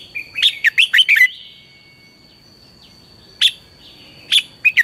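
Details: Red-whiskered bulbul singing at morning, a lure song for training bulbuls to sing fired-up: an opening flurry of about six quick, bright, slurred whistles, then a pause and three separate sharp notes, faint steady tone behind.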